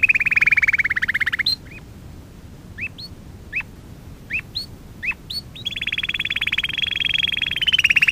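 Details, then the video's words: Lesson song for training young canaries: a rolling buzzy trill, then a string of separate hooked rising chirps, ending in a long fast even trill at a higher pitch. "Kanarya Ötüşü - 1 (Eğitim - Ders Cd'si) / Canary Singing - 1 ( Education - Lessons Cd )"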